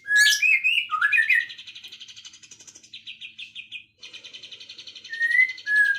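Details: Afternoon bird song beginning with loud twisting whistles and chirps, then settling into fast buzzy trills, ending with a short rising whistle and a falling note.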